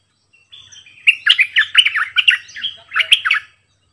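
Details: Decoy bird, a sooty-headed bulbul with many songs, opens with a soft thin whistle and then launches into a long, tumbling series of loud, chortling warbled notes.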